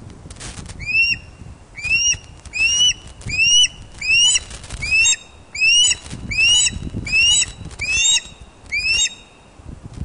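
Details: Ospreys at the nest at Loch of the Lowes, Scotland, filmed by webcam on 31 August 2013 at 16:39 during a large fish delivery. About ten sharp rising whistled chirps come in a steady series, a little under one per second, with faint low rumble behind.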